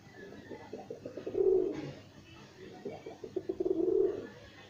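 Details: Kept pigeons cooing indoors: two bouts of low, throaty, rolling coos, each swelling to a louder burst and then fading, separated by a short quiet gap, with faint room noise behind.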